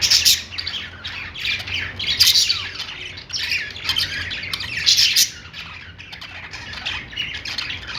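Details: Inside a pet store, budgerigars keep up a dense, scratchy chatter with loud bursts at the start and again midway, then softer twittering, a faint low hum throughout.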